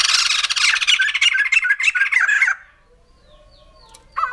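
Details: Harsh, rapid cackling chatter from a white-crested laughingthrush for over two seconds, followed by near silence and faint thin tones, then a fresh rasping note at the very end.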